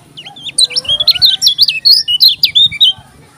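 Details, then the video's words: Lombok yellow-crowned bulbul, likely caged, delivering a quick series of loud, high, looping whistles, roughly a dozen notes in two and a half seconds, with a fainter lower rising whistle from another bird. "KECIAL KUNING TAK PUNYA NAMA, JOSS NGAMUK‼️"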